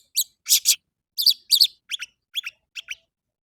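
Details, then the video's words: Morning song of an orange-headed thrush, played to coax caged birds into singing: loud, harsh, scratchy notes in pairs, then softer, quicker double notes fading toward the end, spaced about a third of a second apart. "PANCINGAN ANIS MERAH DI PAGI HARI AMPUH BIKIN IKUT BUNYI!!!"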